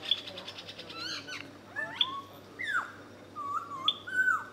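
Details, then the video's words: Common green magpie in Khao Yai National Park, Thailand, giving a series of clear whistled calls, some sliding downward, others level or bending, spaced irregularly over a few seconds against a faint steady hum. "Common green magpie"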